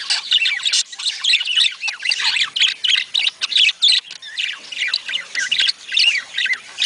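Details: Budgerigar sound used to encourage budgies to mate: continuous high warbling chatter with harsh squawks and rapid chirps, several overlapping voices in uneven bursts, dropping briefly into short pauses.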